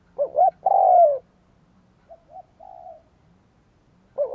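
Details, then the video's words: Spotted dove coo for luring wild doves: a quick doubled note, then a drawn-out falling coo. Quieter brief coos and a soft flat note follow, and the next phrase begins at the end. Quiet background. "Tiếng cu gáy kích bổi cực nhạy / CU gáy thúc gù gáy đủ bài kích bổi cực nhạy"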